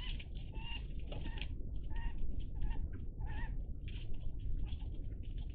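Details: A flock of Iberian magpies, recorded 03-10-20, mixes harsh rasps with brief, tonal, wavering notes in an irregular series, all over a continuous low rumble.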